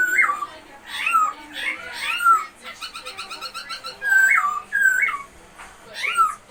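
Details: Masked laughingthrush in captivity, a lively song of swooping whistled notes mixed with a fast dry rattle and sharp upward squeaks.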